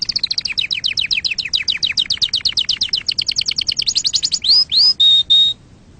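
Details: Canary song to tutor chicks and for breeding: a long, steady run of quick rising chirps repeated about seven times a second, ending in two upward swoops and two flat whistles.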